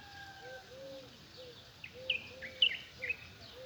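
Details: Morning birdsong: a steady hiss with a soft, low, repeated arching note, then a burst of sharp, high chirps and twitters in the second half.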